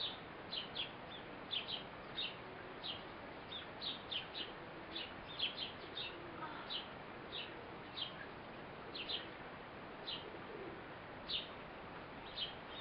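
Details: A Eurasian blue tit feeds her baby. Rapid, thin, high chirps pour out in an uneven stream, often in pairs, for the whole stretch. Faint murmuring is heard in the middle.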